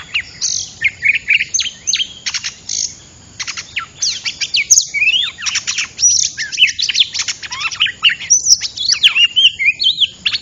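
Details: Oriental magpie-robin sound used to lure birds into traps: rapid repeated ticking chirps in bursts, interwoven with whistled slurs and warbles, continuing steadily throughout.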